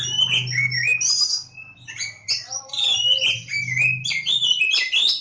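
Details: Kacer Jawa (Oriental magpie-robin) pours out a fast, varied song of sharp whistles, rising and falling slurs and chattering notes, almost without pause, over a steady low mechanical hum.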